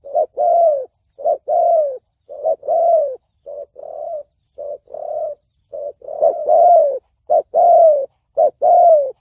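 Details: Spotted dove in 'thổ bầu' voice, a call for luring, trapping and decoy training, cooing in two-part phrases of a short note and a drawn, falling coo, with some shorter flatter coos between, repeated steadily.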